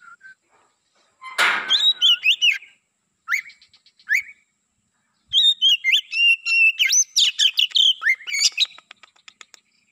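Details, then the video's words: Oriental magpie-robin of the black-breasted type, used to lure wild birds of its kind. A sharp knock is followed by loud whistled and chattering phrases, a short pause, a couple of slurred notes, then a long lively burst of varied whistles. "Burung Kacer Pikat gacor dor"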